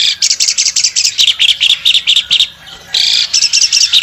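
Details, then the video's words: Albino Asian pied starling singing hard with open wings: a dense run of bright, sharp chirps, a short lull, then a grating burst and more quick chattering notes. "jalak suren albino gacor buka sayap"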